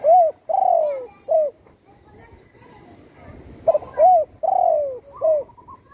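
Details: Two close cooing phrases from a home-kept spotted dove that was once shot in the wing. Each phrase is a brief coo, a long falling coo, then a short final note, separated by a quiet gap.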